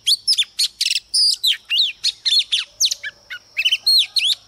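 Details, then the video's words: Female Oriental magpie-robin used as a lure, singing to provoke males: a fast, unbroken run of varied high whistles, sharp rising and falling slurs and brief trills, with a faint steady high tone behind. "CHOÈ THAN MÁI MỒI HÓT KÍCH TRỐNG ĐỈNH CAO"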